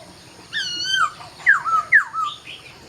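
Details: At dawn a laughingthrush gives a short run of slurred whistles: a long wavering note, then two sharp downward-sliding whistles and a softer trailing phrase.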